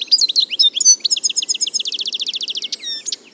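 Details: European goldfinch, also called arous al-turkman, singing in nature: a fast, liquid twitter of high chirps and trills, about four notes a second, speeding into a rapid run of repeated notes before a few closing chirps.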